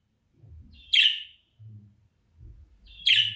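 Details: Budgerigar calling note used to draw a runaway budgie back: two rough, scratchy chirps roughly two seconds apart, separated by faint low thumps and murmurs.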